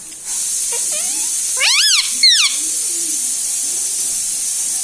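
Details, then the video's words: Talking pet parrot, said to say mummy, papa and radhe radhe; two arching, strongly harmonic speech-like calls in quick succession, set against constant loud hiss. "mummy ka pyara tota || bolo mithu mithu"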